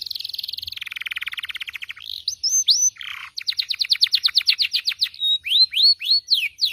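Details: Captive canary song meant to coax silent canaries into singing: a fast buzzy trill, then separate rising whistles, a dense run of downward-sweeping notes and clear upslurred whistles in quick succession.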